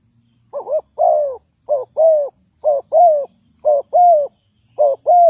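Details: Spotted dove acting as a lure for trapping. It delivers a steady series of five paired coos, each a brief wavering note followed by a longer falling one, repeated roughly every second, clear and loud.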